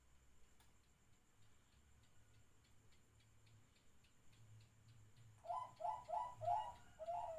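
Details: Zebra dove singing at midnight. After several quiet seconds of steady ticking, a series of soft, mid-pitched staccato coos begins, about five quick notes in a row.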